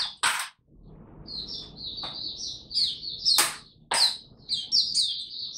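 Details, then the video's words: Kept white-eye (Mata Puteh) in Singapore, 31 July 2023, finally beginning to sing again: rapid high twittering phrases of short chirps, interrupted by several loud sharp clicks or knocks. "Mata Puteh Buka Sing"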